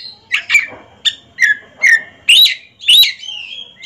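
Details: Caged Oriental magpie-robins dueling at a ring song competition: loud separate phrases of bright whistled and scratchy notes, about two a second, with short gaps and some sliding whistles.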